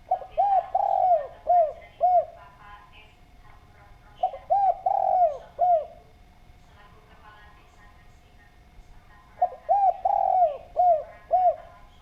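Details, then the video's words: Spotted dove singing vigorously as a lure recording for drawing other doves into calling: three phrases of five or six mellow coos each, one longer note in the middle, spaced roughly every four to five seconds over a quiet background. "Derkuku Gacor Suara Bening, Cocok Buat Pancingan"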